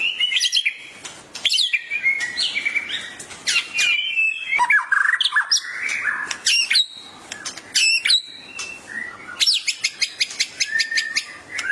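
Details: Gacor emosi song of a white-rumped shama reacting to a training recording: rapid series of sharp high clicks and ticks alternating with rich slurred whistles and a buzzy low phrase midway, repeated in energetic bursts.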